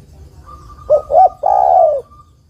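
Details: Female spotted dove summoning the male with one phrase of two quick hoarse coos and a drawn-out descending croo, over a thin steady whistled tone.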